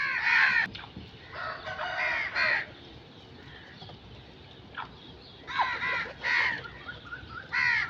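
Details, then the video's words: Crow giving loud, harsh caws in clustered bursts, several calls in quick succession, a pause, then another run of rough cawing. "Crow sound effects"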